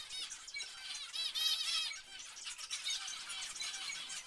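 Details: Zebra finches giving a dense chorus of nasal, buzzy calls with stacked overtones, many notes overlapping in quick succession, loudest near the middle and continuing steadily to the end.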